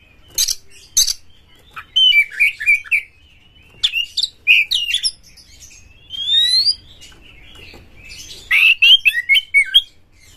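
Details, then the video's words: Oriental magpie-robin lure song, meant to stimulate other magpie-robins to sing, with rough, harsh material and the bird opening its tail. Bursts of sharp chirps alternate with warbled, whistled phrases and rising sweeps, separated by short pauses. "suara PANCINGAN KACER GACOR TOP2024 kacer Buka Ekor KONSLET bongkar MATERI KASAR agar KACER gacor"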